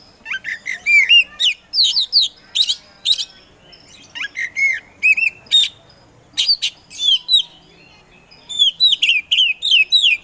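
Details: Energetic 'gacor' song of a kacer poci, a hobbyist's Oriental magpie-robin kept as a provocateur to set reluctant birds singing: dense bursts of sweet whistles, upslurred and downslurred notes and sharp chips, repeated in phrases with short gaps.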